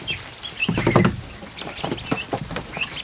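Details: Newly hatched ducklings, over a hundred, in a kiddie pool in a barn one afternoon; a few clear high peeps and chirps, with a loud low splash or rustle about a second in and repeated water patter.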